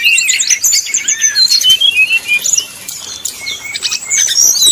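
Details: Brown-chested jungle flycatcher performing its 'nyuling' song to goad opponents; clear high whistled slurs and quick trills at first, then fainter scattered notes before the phrases pick up again at the end.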